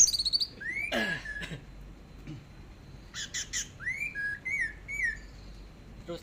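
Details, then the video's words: Orange-headed thrush singing in the teler style on a long tutor track: varied rising and falling whistles mixed with short high chips and a harsh burst, over faint background noise. "BURUNG ANIS MERAH TELER"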